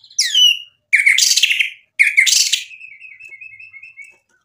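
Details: White-rumped shama: a downward whistle followed by two broad harsh buzzy bursts, then a faint run of evenly repeated short notes fading out.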